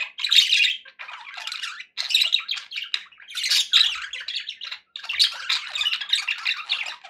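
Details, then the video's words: Pet budgies in a happy mood give choppy bursts of buzzy twitter and sharp chirps, separated by brief pauses, with the chatter thickening toward the end. "happy budgie sounds"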